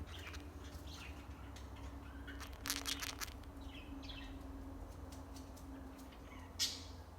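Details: Cockatiel (Nymphicus hollandicus), beak grinding.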